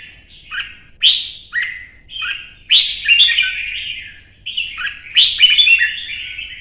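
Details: Red-whiskered bulbul kept in Vietnam, singing during a contest: repeated loud fluty phrases, each opening with a sharp high note and dropping into mellow warbling, about one phrase every second or two.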